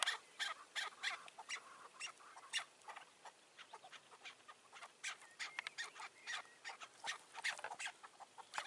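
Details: Chukar partridge calls during a May 2024 partridge hunt that uses a decoy bird on a roof, with wild, mature partridges wary nearby: a steady run of sharp clucking notes, about three per second, some overlapping, over faint background hiss.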